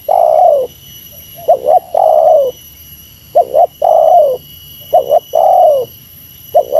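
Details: Meratus lure call of a spotted dove facing a rival. Repeated phrases of two short coos and a long sustained coo that dips at its close, about four times. A faint electronic whine is heard behind.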